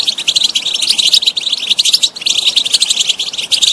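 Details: European goldfinch pouring out continuous, liquid twittering with quick buzzy trills and tinkling notes, dipping briefly around the two-second mark before carrying on.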